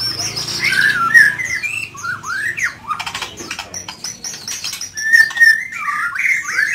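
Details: White-rumped shama, a Medan-type bird, singing at night: a rich, varied run of whistled and slurred notes, sharp chirps and sweeping phrases, with bursts of rapid clicking in the middle.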